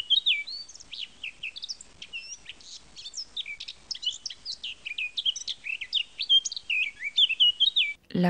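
A Eurasian blackcap sings a fast, rich, high warble of varied whistled and chattering notes without a break. A man's voice starts at the very end.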